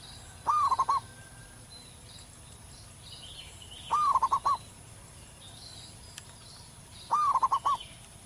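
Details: Local wild zebra dove singing loudly, a song prized for training other birds: three identical phrases roughly every three seconds, each a rising note followed by a fast rattle of bouncy coos. Scattered faint high-pitched calls of other birds.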